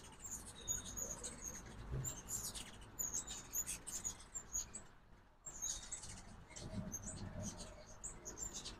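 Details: Morning feeder scene in Oxford, Mississippi, with ruby-throated hummingbirds on fall migration: bursts of high squeaky chips and twitters, a brief lull midway, then more chipping, plus occasional low thuds.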